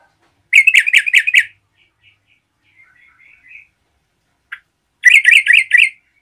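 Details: Yellow-vented bulbul singing loudly to provoke other bulbuls. Two bursts of about six rapid, chattering, bubbly notes, half a second and five seconds in, separated by faint soft warbling and a single sharp click.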